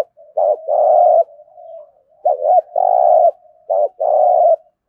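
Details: Rapid competition cooing from a spotted dove in Đồng Nai. Three phrases follow closely, each made of quick looped notes and a sustained, grainy coo, with soft humming coos filling the short gaps.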